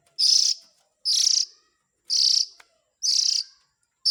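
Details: White-rumped shama chick calls used as a lure for the parent birds: harsh, raspy, broadband bursts, each about half a second long, repeated roughly once per second, five in a row with silence between.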